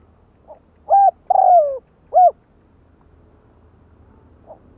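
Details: Spotted dove calling to provoke other doves: a short hooted coo, a longer descending drawn coo, then another short coo, loud and clear against a quiet background, with faint soft coos before and after.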